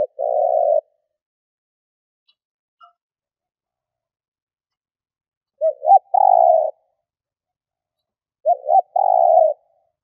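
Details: Spotted dove decoy cooing to lure wild doves: a long low rolling coo, then after a silence two phrases about three seconds apart, each of short hooted notes running into a drawn-out purring coo.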